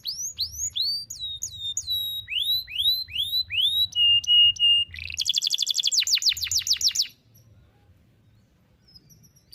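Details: Young-canary tutor song: spaced rising whistled notes, a few falling slurs, steady short whistles, then a rapid trill of sweeping notes ending in near silence.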